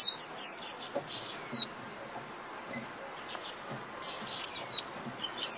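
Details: Sparse high notes from a Japanese white-eye in líu song, played to caged birds for training: a short fast flurry, then single thin downslurred whistles spaced over several seconds, with soft background hiss.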